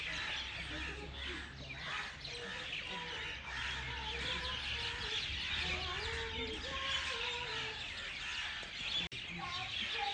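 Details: Several birds chorus together with busy high chirps and twitters, while clearer mid-pitched whistled notes, some rising and some falling, sound over a continuous low hum.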